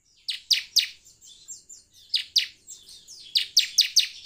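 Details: Semi-style bar-winged prinia song meant to coax birds into singing: clusters of two to four strident, high, buzzy chips separated by softer thin wavering notes, loud and close.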